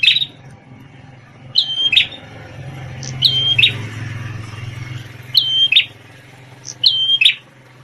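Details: Red-headed prinia previously trained with white-rumped shama song, repeating brisk high chirping phrases with a whistled note and rattling end every one to two seconds over a steady low rumble.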